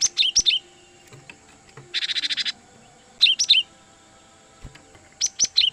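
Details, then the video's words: Cinereous tit used as a trapping lure: three groups of quick, high, down-slurred chirps with a brief rapid buzzy rattle between the first two groups, over a steady thin high-pitched whine. "suara Gelatik Batu Pikat sangat Baik Untuk Mikat Burung Gelatik Liar"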